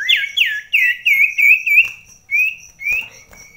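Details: Common iora (sirtu) dueling a rival bird at very close distance inside a house, rainy season: a rapid chain of looping, upslurred whistles, about five in quick succession, followed by two longer level whistles with pauses between.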